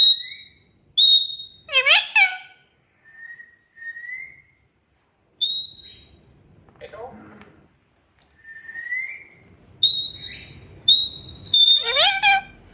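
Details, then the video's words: Pet parrot saying "mian mithu": clear, level whistles alternate with rising whistled slurs and two bursts of harsh, buzzy, speech-like syllables, separated by short pauses. "Natural sounds of parrot saying mian mithu"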